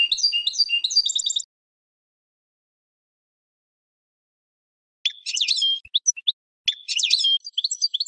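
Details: European goldfinch song played to train birds: a burst of rapid high twittering, long silence, then two scratchy chattering phrases with clear whistled notes.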